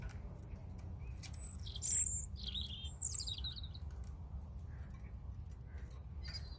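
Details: Two high tumbling European robin phrases about a second apart, each a sharp bright note followed by a cascade of thin descending twitters, then quieter background with low rumble.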